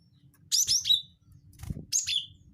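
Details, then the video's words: Cinereous tit lure call (gelatik batu wingko): two dense bursts of high, slurred chirps sliding down into a buzzy tail, separated by a soft thump and low background noise. "pancing bunyi gelatik batu wingko"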